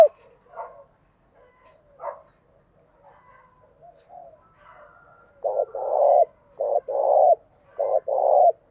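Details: Decoy spotted dove cooing so that wild doves respond quickly: faint scattered chirps and soft notes first, then three loud, low coo phrases in quick succession, each a short note followed by a longer buzzing, sustained coo.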